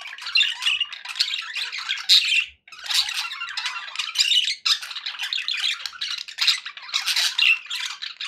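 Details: Happy pet budgies in a room, giving a steady stream of buzzy, scratchy warbles and sharp chirps, broken by one brief pause midway before the chatter resumes.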